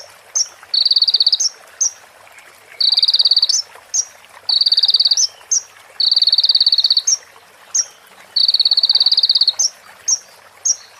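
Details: Sunbird (konin) song used to train other birds, with female prinia and ciblek phrases: repeated high, buzzy trills of about a second each, every trill framed by crisp chips, in a steady pattern.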